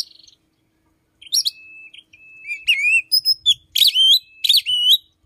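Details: Morning song of an Oriental magpie-robin whose repertoire reportedly borrows from the chim sâu đầu đỏ; after a short silence, a long thin steady whistle leads into bright, rapidly repeated slurred whistles and chirps.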